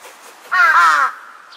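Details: Large-billed crow, 2 September 2022, answering distant calls with one harsh, nasal caw of about half a second, falling slightly at the end, in a quiet setting, then startled by an unexpected call overhead.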